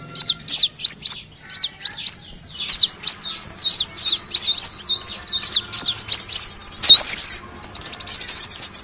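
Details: Kolibri wulung sunbird heard as a lure, giving a fast run of high, thin, wavering whistled notes. It is followed by a loud rising whistle and then a dry, buzzy, rapid trill.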